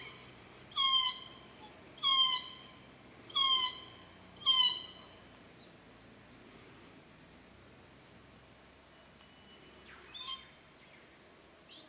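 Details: Glossy black cockatoos at a Cootharaba property, their nursery and feeding ground where they come June to September and arrive about 4:30pm to feed on Casuarinas: four loud, harsh, wailing calls a second apart, a pause, then two fainter calls.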